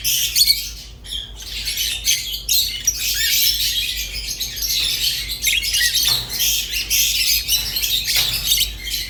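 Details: Two pet budgerigars in a long stretch of warbling: continuous scratchy chatter, squawky notes and fast chirps, with short gaps near the first and sixth seconds, otherwise unbroken twittering.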